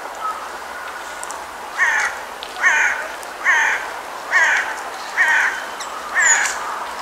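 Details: Brambling recorded at Almaty, Kazakhstan: six harsh, nasal calls repeated at steady intervals of roughly eight-tenths of a second, each a short broad burst, over a faint background hiss with a brief thin high note near the end.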